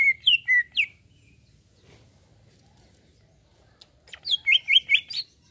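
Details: Greater green leafbird reacting to a played sound: a quick run of bright, slurred whistled chirps, a near-silent pause with faint low hum, then a burst of rapid repeated ringing notes.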